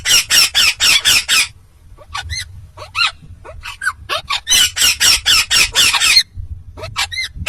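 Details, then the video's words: Talking Indian ringneck parakeet: a rapid series of five harsh, broadband syllables, then thinner rising and falling whistled notes, then another fast string of about eight loud bursts, over a soft low hum. "Indian Ringneck Talking parrot"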